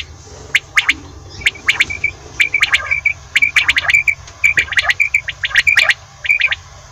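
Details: Quail calling in the morning: sharp, high chirping notes in quick clusters, repeated in bursts across the recording over a faint low background hum.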